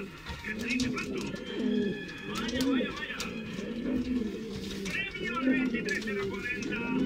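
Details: Male Canarian pouter pigeons in strong breeding condition coo steadily. Deep, swelling arched notes recur about once a second over background music.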